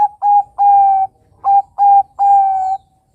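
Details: Juvenile Bangkok zebra dove calling as a lure for other birds to answer: pure, steady cooing notes in two groups of three, each group running from short to longer, drawn-out tones, with a quiet background.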